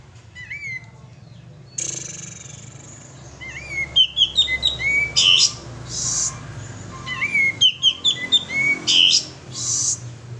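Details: Sooty-headed bulbul male lure song, two matching phrases about five seconds apart, each a rising whistle then quick descending slurred notes capped by a buzzy burst.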